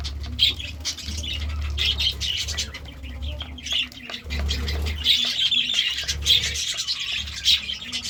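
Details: Morning budgerigar chirping: continuous high, twittering chatter with sharp squeaky notes scattered through it, over a constant low hum.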